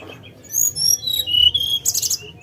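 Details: Brief lesser shortwing phrase: thin high whistles sliding downward into a sustained note, then a short buzzy burst.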